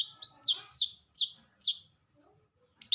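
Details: Vigorous long-tailed shrike song made of five sharp, scratchy downslurred notes spaced about half a second apart, followed by a double note, with a steady thin high-pitched tone running underneath.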